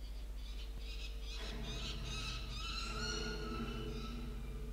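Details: Peregrine falcons flying around a tower in the evening on 10-12-2022 give harsh, grating calls in quick ragged bursts, loudest in the middle, over a steady low rumble of wind or distant traffic.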